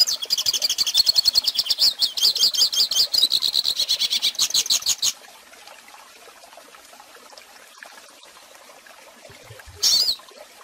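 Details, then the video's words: Teaching recording of goldfinch song: about five seconds of fast, bright twittering and trills, then near quiet with faint background hiss, and a short loud burst shortly before the end. "Pintassilgo Cantando Ensine Filhotes!!!"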